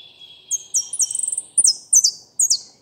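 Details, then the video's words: Goldfinch singing a complete song: a long thin whistled note, then a run of bright high metallic twittering notes and slurred chips in quick succession, clean with no other sounds. "jilguero completo osamado"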